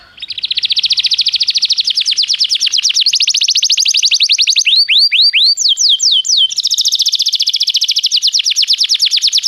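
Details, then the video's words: Canary singing, used as playback to get another canary to start singing: continuous fast high-pitched trills, changing pace and tone, with a run of clear rising swoops in the middle before dense trilling resumes. "toque imediatamente esta espetacular canção do canário"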